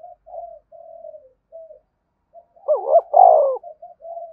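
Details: Spotted dove calling to encourage other doves to coo: several soft, low, drawn-out coos, then a loud, throaty, wavering two-part phrase followed by more quiet cooing.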